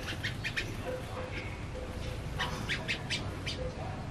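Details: Tame male yellow-vented bulbul (Pycnonotus goiavier) in full song: rapid bursts of bright, chirpy notes, several a second, over a steady low background hum with a faint tone.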